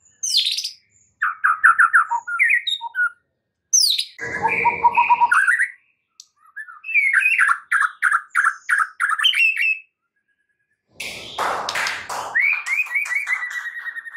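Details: Lure song of a white-rumped shama, meant to lift a stressed bird into energetic singing: varied phrases of rapid chattering notes, clear whistles and sharp high slurs, with one burst of harsh broadband noise near the end.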